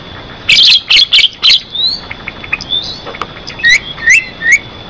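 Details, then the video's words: Lively Javan myna song meant as a lure to get other mynas calling and as tutor material: four loud scratchy bursts, then soft whistles and a series of sharp upward-slurred whistled notes. "Suara Jalak Kebo Gacor Buat Pancingan"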